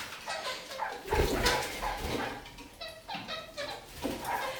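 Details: Kakariki hanging upside down and walking along a ceiling, singing a lot: quick, repeated nasal yaps and chirps, uneven in rhythm, some louder ones overlapping with scuffling and knocking sounds.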